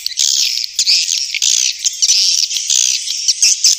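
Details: Swiftlets giving high, rapid twittering chirps in uneven bursts, some notes drawn out and slightly whistled.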